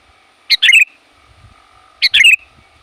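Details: Sooty-headed bulbul calling boldly to challenge rivals and draw in wild birds; two crisp, bubbly phrases of a short lead note and a fast warbling tumble, about one and a half seconds apart, with faint hum behind.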